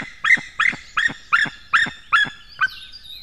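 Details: Male white-tailed eagle calling at the nest on the morning of 19 May 2016 while bringing fish: seven loud, harsh yelping notes, each about 0.4 s apart, rich in overtones and slightly rising then dropping, with quiet background.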